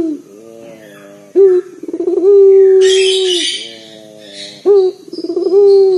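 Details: Booming low coos of a local collared dove kept for luring other birds to sing; rolling stutter then a long even note, twice, with a short rustling noise and faint high chirps in the background.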